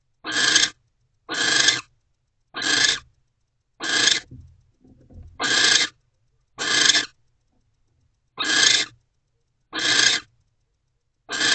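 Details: Mating owl pair in a nest box, 20 January 2024, afternoon: nine short, harsh hissing screeches at irregular intervals, with soft scraping sounds in one gap.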